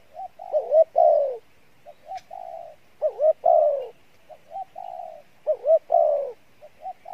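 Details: Spotted dove cooing in the "Đồng Pha Bài Lối" style, praised for its good voice: about three phrases in seven seconds, each of quiet level introductory coos, then paired rising-falling notes ending in a loud, slurred, descending coo.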